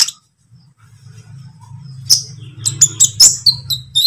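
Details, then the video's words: Green or speckled lovebird heard in a training lure recording: a steady low hum at first, then sharp high chirps and short whistled notes in quick succession. "pancingan konin ijoan atau trotol"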